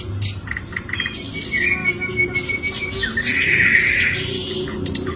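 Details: Scratchy, buzzy singing from an Asian brown flycatcher, with a drawn-out harsh wheeze in the middle and scattered short sharp notes, over noticeable low background noise.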